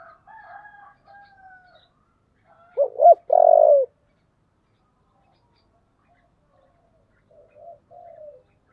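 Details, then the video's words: Spotted dove of thổ voice style, provoking a fight. A single loud phrase of quick stacked notes and a short rolling coo is heard. Quieter distant coos sound before and after it. "cu gáy giọng thổ/ cu gáy thúc đấu căng lửa"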